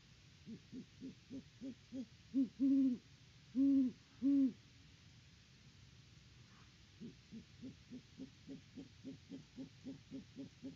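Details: Great horned owl pair at a farm nest in Peabody, Kansas, mid-October: a run of short, soft clucking notes builds into three long, deep hoots, then a pause and another even series of quick clucks.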